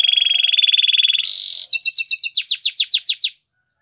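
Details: Domestic canary singing: a fast buzzy trill held steady at mid-high pitch, a brief higher rattle, then a run of sharp downslurred notes about four per second before sudden silence.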